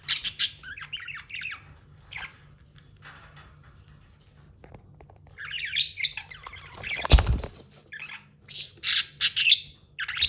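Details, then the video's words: Tamed budgie giving scattered scratchy chirps and brief warbles, a quiet stretch, one loud dull knock, then a closing flurry of sharp chirps. "Amazing budgie chirping sounds"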